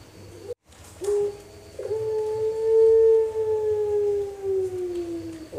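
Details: Young pelung dove, four months old, practicing its full song with front, middle and end parts at Pakisaji, Malang. Brief soft opening coos lead into a long sustained tone that rises slightly, peaks in volume and sinks gradually lower.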